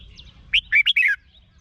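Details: Red-whiskered bulbul song played to excite caged birds in Thailand: one short phrase of about five loud, warbled whistled notes rising and falling, with faint chirps from other birds before and after.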